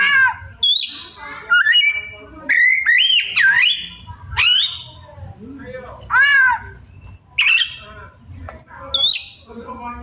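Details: White-rumped shama (kacer) mimicking other birds with harsh arched squawks, whistled slurs and rasping notes in irregular bursts over a low steady hum.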